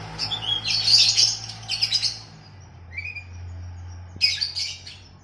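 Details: Kacer, the oriental magpie-robin, in a training song for captive birds set against a kutilang (sooty-headed bulbul): an energetic chattering burst of high chirps, then a lone rising whistle, then another quick burst, over a steady low hum.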